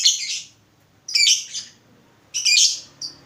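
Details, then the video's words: Lovebird lure recording meant to prompt ngekek replies: three loud harsh squawky bursts, each roughly a third of a second long and spaced over a second apart, ending with a short thin chirp. "Pancingan Lovebird Gacor Burung Lakbet apapun pasti Nyaut Ngekek"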